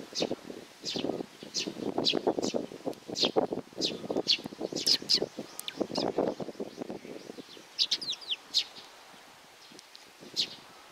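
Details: Young sparrow's rapid high chirps mixed with dense, loud low rustling and scratching for most of the time, then a few thin slurred notes near the end.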